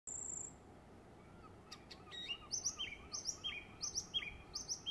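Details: Song thrush singing its summer song in West Cornwall, England: clear whistled phrases, each repeated two or three times before changing, some rising and some falling, over a soft background hiss.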